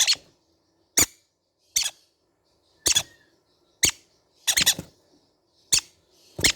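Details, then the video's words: Squeaky, high-pitched squawks from baby green-cheeked conure parrots, eight brief bursts at uneven intervals, a few of them stuttered into quick doubles. The room is otherwise quiet. "sound of baby green cheek conure parrot birds"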